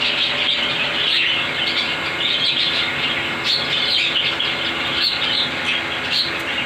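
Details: Home-kept parrots, including ringnecks, cockatiels, budgies and a sun conure, fill the air with busy, overlapping high chirps and warbling twitters, steady throughout, over a low mechanical hum.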